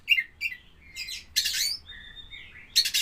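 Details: Captive Oriental magpie-robin (kacer poci) during pairing for breeding: short whistled notes, then harsh buzzy rasping bursts and a long level whistle that drops, ending in another scratchy burst; faint low hum behind.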